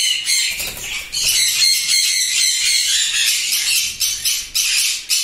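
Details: Sun conures at a breeding farm of 16 pairs in East Medinipur, West Bengal, India, give a dense chorus of harsh, high-pitched squawks, overlapping and nearly continuous.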